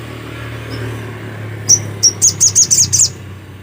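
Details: Vigorous song of a black-capped white-eye: after two spaced high notes, a quickening series of sharp, very high chirps runs for about a second, with a low droning hum behind.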